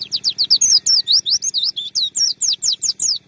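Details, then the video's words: Oriental white-eye master song for training songbirds: an energetic string of clear, high whistled notes, each sliding down or up, repeated about five times per second in a steady, tumbling chatter. "MASTERAN PLECI PALING DI CARI PARA JUARA PLECI MANIA"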